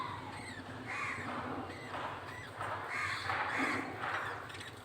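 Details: Male budgerigar feeding a baby budgie: harsh, raspy calls come in short bursts, roughly three a second, against a constant low background hum.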